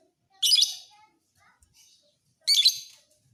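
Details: Two raspy, high, noisy chirp bursts about two seconds apart from a fighter lovebird used for training other birds, otherwise quiet.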